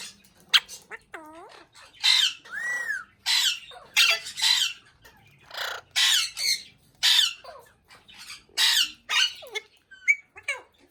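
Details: Ringneck parrot chattering in a quiet room: a rapid series of harsh, breathy speech-like squawks, with a looping warble and one arched whistle early on.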